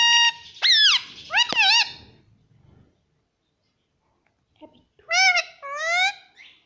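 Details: Indian ringneck parrot kept as a pet, mimicking speech for its owners: several nasal, harmonic, word-like squawks, a pair near the start and another pair after a two-second silence.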